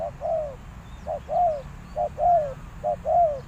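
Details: Cooing of a decoy spotted dove meant to draw in wild doves: four even two-note phrases, the second note longer and dropping in pitch, evenly spaced.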